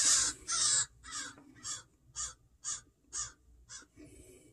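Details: Crows guarding their fledgling scold a person in a yard: two loud, raspy caws followed by six shorter, fainter caws at a steady half-second pace.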